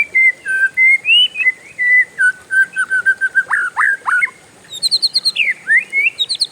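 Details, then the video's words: Oriental magpie-robin rolling its song at length: sweet whistled notes sliding up and down, a run of rapid downward slurs, then higher twittering phrases, steady faint hum beneath. "SUARA KACER RIUH NGEROLL PANJANG, BURUNG LAIN LANGSUNG IKUTAN"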